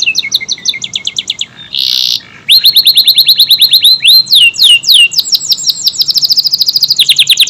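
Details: Lively canary song: stuttering high trills, a short harsh buzzy burst, then loud rapid series of slurred whistled notes and fast rattles.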